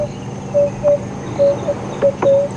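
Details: Emerald-spotted wood dove on a morning safari drive at Djuma Game Reserve, 26 November 2015: about six soft, low, hollow hoots of uneven length over two and a half seconds, over a steady engine hum and faint clicks.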